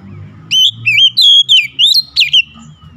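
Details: Oriental magpie-robin song: a fast string of about seven loud, pure whistles with sliding pitch, some notes swooping sharply, following a moment of low background noise.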